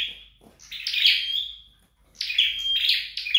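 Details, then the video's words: Flowerpecker trained at home: a thin whistle, then a silence, followed by two high chittering bursts ending in a short level tone. "Dợt Sâu Đầu Đỏ Tại Nhà"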